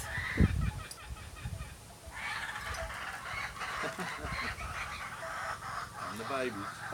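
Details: Young kookaburras in a backyard give ragged, raspy chuckling bursts, cackling unevenly for several seconds as they learn to laugh; a few low thumps come at the start.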